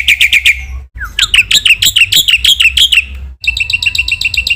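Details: Black-winged myna singing actively on a masteran track: short series of high chirps, a low slurred note, rapid downward-sweeping notes, then a tighter run of tinny chirps.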